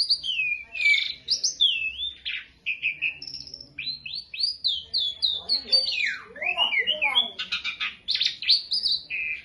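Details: Masteran song from a beginner Asian pied starling: fluid, fast chain of sliding whistles and warbles, dipping and rising, with a few rasping chatters mixed in. Steady throughout.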